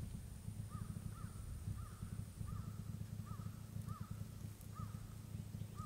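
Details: A common moorhen at Coot Bay in the Everglades gives short, arched, slightly nasal notes about twice a second, steady and evenly paced, over a heavy low rumble of wind or handling noise.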